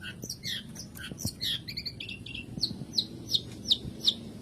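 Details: Long-tailed shrike song, a lure played so lazy caged birds start singing: faint, thin high chirps quickening into evenly spaced sharp, piercing notes toward the end over a low background hum.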